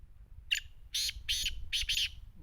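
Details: Sindhi teetar (black francolin) calling: five rasping, scratchy notes in quick succession, the first short and the rest longer, with low background hum.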